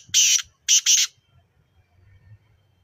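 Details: Black francolin (kala teetar) at Nawabshah, Pakistan, giving three harsh, grating, rasping notes within about a second, a single note then a quick pair, followed by quiet low rumbling background.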